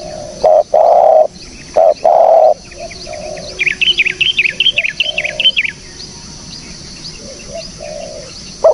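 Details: Spotted dove recording meant as a lure: several loud, low, hollow coos in quick pairs open the clip, followed by softer coos, while another bird adds a busy run of high chirps in the middle.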